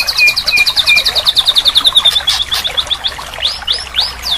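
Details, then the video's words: Murai batu, or white-rumped shama, masteran song used as therapy for a silent bird, with lavish fill-in phrases: a rapid, steady run of high chips, then looser notes and several loud arching whistled slurs. "Masteran Terapi murai batu mogok bunyi"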